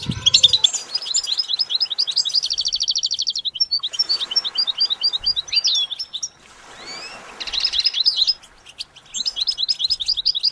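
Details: Goldfinch song, recorded to train goldfinches to sing, with even runs of repeated chirps, a fast buzzing trill, a quieter gap of faint notes, then renewed rattling trills and chirping.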